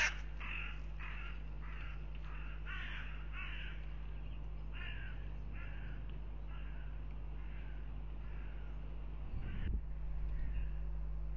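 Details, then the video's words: Hooded crows fighting near a goshawk nest filmed by a live nest camera in Riga, Latvia, on 10 April 2021: rapid harsh cawing, roughly three calls a second for eight seconds, over a constant low electrical hum. "vārnu cīņa"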